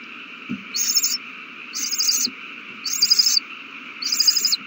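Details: Owl chicks taking a big meal, March 27, 2020: four harsh, breathy screeches, evenly spaced about a second apart, with light taps and a low hum in the background.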